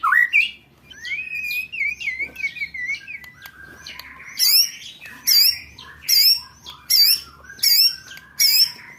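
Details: Roll tembak song of a white-rumped shama, used for training contest birds: a wavering whistled phrase, then a series of loud, high, sharp repeated notes about every 0.7 seconds.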